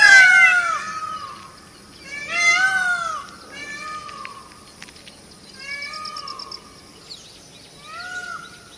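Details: Peacock calls of the Indian peafowl: a loud opening wail, then a series of fainter arched, mewing cries at irregular intervals, with some background noise.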